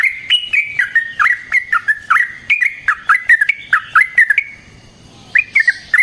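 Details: Sooty-headed bulbul singing eagerly, used as a lure and master for other bulbuls: a string of sharp, downward-slurred chirping notes roughly three per second, a brief quiet gap, then a few more chirps.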